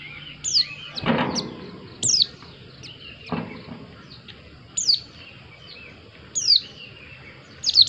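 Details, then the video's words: Pleci white-eye giving isolated high, sharp, falling whistles roughly every one and a half seconds, with a few soft thuds in the background. "Plecimu Langsung Nyaut, Dengar suara burung Pleci yg satu ini"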